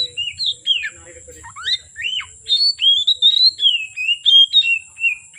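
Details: Oriental magpie-robin, singing from afternoon into the dark: varied whistled notes, sharp upslurs and downslurs, then a run of rapid warbled phrases, with a faint low murmur early on and a constant high whine.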